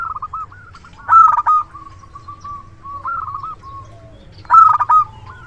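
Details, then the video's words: Local zebra dove, a frequent loud-voiced singer used as a decoy for luring: two loud, rough staccato coo bursts about three seconds apart, with softer trilled cooing phrases running between them. "Perkutut lokal gacor suara besar PIKAT ANDALAN"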